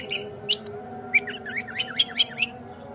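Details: Oriental magpie-robin (kacer) lure song meant to provoke another kacer into singing and opening its tail: one loud rising whistle, then a quick run of short chirps and slurred notes, over a faint steady hum.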